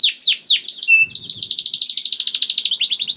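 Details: Juvenile canary song meant to prompt slow-singing canaries: drooping whistles lead into a brief steady tone, then a fast, even trill of bright repeated notes.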